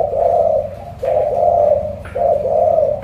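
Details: A caged, moulting pet spotted dove gives deep, hollow coos: three drawn-out notes of about a second each, spaced evenly with brief gaps, against a quiet indoor background.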